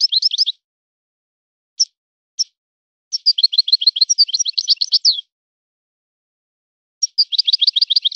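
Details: European goldfinch song in a breeder's style: twittering fragments and isolated single chirps, then a two-second run of fast, high slurred notes and another twittering phrase after a pause, with no background.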